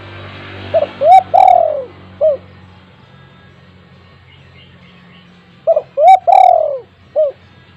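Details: Spotted dove, an actively calling bird with a big voice kept as a lure for untamed doves, giving two mellow cooing phrases: a short note, a doubled rising coo, a long drawn-out falling coo, then a short closing note; faint low hum behind.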